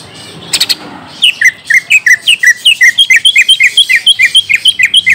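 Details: Leafbird lure song, greater green leafbird, played to get a young bird answering: after a short scrape, an even, quick train of bright chipping notes with high tinkling overtones, about four per second.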